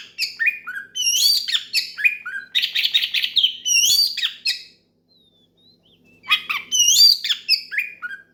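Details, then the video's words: Oriental magpie-robin calling an opponent with loud open singing that provokes other magpie-robins to join: rich strings of varied whistles, downslurred notes and dense chatter, a silent pause, then the song resumes. "SUARA KACER MEMANGGIL LAWAN NGEPLONG KERAS BIKIN KACER LAIN IKUT GACOR"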